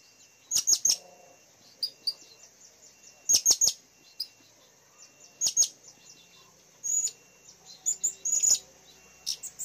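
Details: Blue-crowned hanging parrot used as a lure bird, calling intensely in April 2021: short, very high, sharp chirps given in quick clusters of two to four, spaced a couple of seconds apart over a quiet background.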